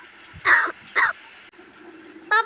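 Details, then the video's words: Talking crow that only says the Marathi words "ho" and "kay": two short, harsh, hoarse bursts half a second apart, then a brief tonal squawk, over steady background hiss. "बोलणारा कावळा"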